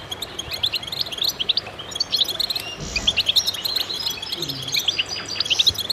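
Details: Chorus of goldfinches singing together in concert, meant to stimulate other birds: dense, overlapping high twittering with bright chirps and rapid trills throughout, one brief soft low thump midway.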